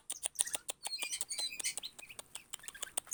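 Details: Kacer, an Oriental magpie-robin of the Priangan type, described as clever and tame, pours out a fast, busy run of high chirps, twitters and short whistles with sharp clicking notes between them.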